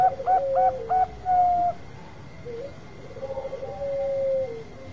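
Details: Zebra dove giving a long call used as a lure to provoke other birds: a few short stepped coos around a low pitch, then drawn-out level coos that trail away, over a steady faint hum.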